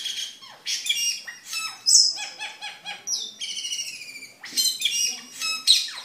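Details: Energetic cucak keling song used to train caged birds and lure others: dense, chattering phrases of rapid stacked notes mixed with clear whistles, delivered in bursts with short pauses.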